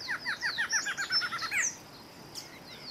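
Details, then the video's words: Male Barred Antshrike (Thamnophilus doliatus) singing: a quick series of about twelve hollow, nasal notes that speed up and run together, ending in a sharp upslurred final note, then quiet with faint high chirps in the background. "Choca-barrada - Barred Antshrike - Thamnophilus doliatus - macho - male - cantando - singing"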